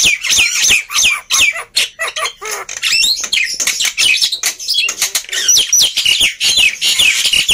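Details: Noisy, energetic black-winged myna singing, meant to coax quiet birds into song: a dense, unbroken stream of sharp chirps, squeaks and harsh rasps, jerky and irregular, about two or three notes per second.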